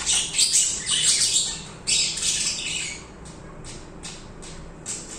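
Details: Budgerigars singing indoors, loud scratchy warbled chatter for three seconds, then softer separate chirps spaced about half a second apart.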